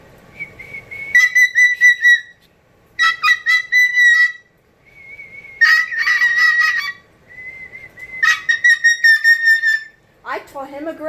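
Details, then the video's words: Pet cockatoo at home performing a whistle it was taught as a trick: steady, high whistled notes held for about a second each, alternating with loud, harsh, harmonic-rich screeches, ending in a falling squawk; a woman speaks softly before and after. "Cockatoo The Most Annoying Sound In The World"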